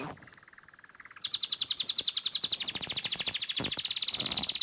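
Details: Sparrow singing: a soft low trill gives way to a loud, high, rapidly pulsed trill that continues steadily to the end, over faint background noise.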